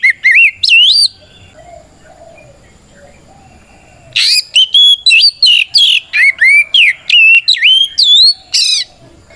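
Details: White-rumped shama in full fighting song that calls out rivals and provokes other shamas: loud, clear whistled notes with sharp upward sweeps, a short burst, a pause, then a long run repeated about three per second.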